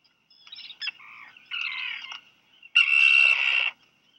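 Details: Black guillemot chicks, two hatched in late June, each fed a fish by both parents at Seal Island National Wildlife Refuge, Maine, USA, on 4 July 2020 at 2:47 PM; a few short, buzzy, high-pitched calls, the last one longest, close to a second.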